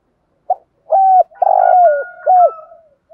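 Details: A decoy spotted dove calls to stir rival doves. After a soft lead-in note comes a throaty three-part coo, its long middle note sliding downward. A faint thin whistle runs behind it.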